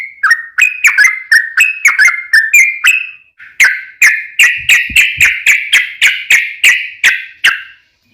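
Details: Yellow-vented bulbul in long 'ropel' style song, used as a lure to make other bulbuls answer. Loud, bright, chirpy whistled notes repeat roughly three per second, dipping and rising. A brief pause breaks the song before the series resumes.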